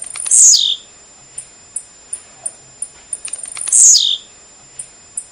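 Blue-black grassquit giving two loud, buzzy, high notes that drop sharply, about three seconds apart, with faint high ticks repeating between them.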